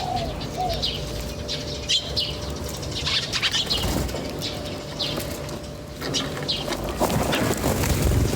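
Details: Birds in nature give irregular bright chirps and clicks in quick succession over a constant low background hum.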